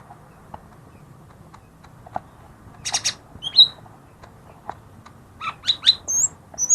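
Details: Lesser green leafbird song meant to coax silent birds into singing: a quiet start with faint ticks, then a raspy burst, a bright whistled note and a run of squeaky, slurred high whistles.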